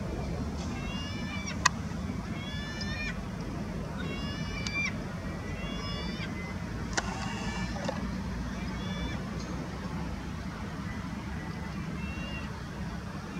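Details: Lesser black-backed gull at IJburg, Amsterdam, Netherlands, 28 September 2020, giving bursts of nasal, laughing notes in quick series, repeated every couple of seconds over a steady low rumble of traffic.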